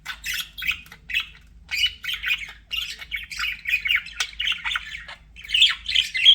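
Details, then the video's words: Budgerigars give separated bursts of hoarse squawking and short chirps with small gaps between them, becoming louder and shriller toward the end. "BUDGIE SOUNDS"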